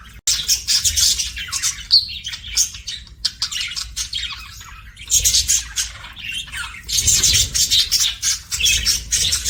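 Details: Budgerigars (Melopsittacus undulatus) chatter almost without pause: bursts of harsh, buzzy chirps and squawks mixed with brief clear whistles.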